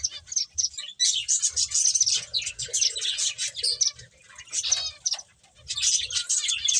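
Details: Finches playing together fill the air with bright, rapid chirps, loud bursts of tweeting alternating with short dips, plus soft low fluttering or thumping underneath.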